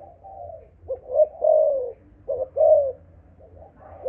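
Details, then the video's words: Spotted dove of the Malaysian line, 'âm thổ' earthy-toned, uttering soft murmurs then two loud, drawn-out falling coos, with a quiet low hum beneath. "Cu gáy malaysia dòng âm thổ tê tái"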